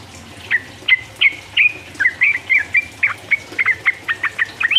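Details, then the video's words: Sooty-headed bulbul singing to rile rivals, 'uplik uplik' ropel style: crisp whistled notes with falling slurs, delivered singly then in quickening groups, ending in a rising whistle. "mancing lawan jadi emosi, trucuk gacor ropel uplik uplik merangsang lawan"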